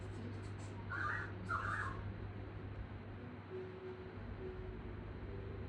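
Pied currawong giving two harsh, grating notes in quick succession, then soft low drawn-out tones, over a steady low hum.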